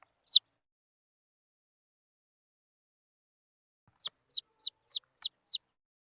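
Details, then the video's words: Wild chicken chicks: one sharp high peep, a pause, then six quick descending peeps in a rapid run, each note sliding downward; otherwise silent. "Suab mis nyuam qaib qus"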